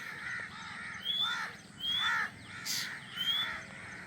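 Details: Nestling drongos, just hatched, wait in the nest for their mother to feed them, giving hoarse raspy calls mixed with thin whistled notes every second or so, in loud bursts with quieter pauses; low hum in the background.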